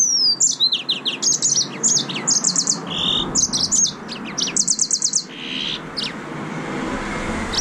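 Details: Yellow-fronted canary, also called green singing finch, in a lively high song of rapid trills and repeated sharp chirps, quick bursts of four or five notes broken by brief gaps, with a soft low hum underneath.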